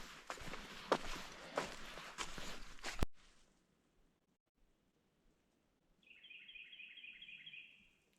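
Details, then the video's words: A Carolina wren heard from a hiking trail on Turkeypen Ridge, Great Smoky Mountains National Park: after crunching footsteps, a quick rolling run of about eight bright, slurred, fairly high notes, evenly repeated. "I don't know if you can hear it in the background or not, but that's a Carolina wren."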